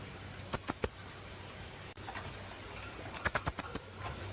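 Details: Shrill high chips of a Philippine hanging parrot, or kulasisi: a quick run of three notes, a pause of about two seconds, then a faster run of six.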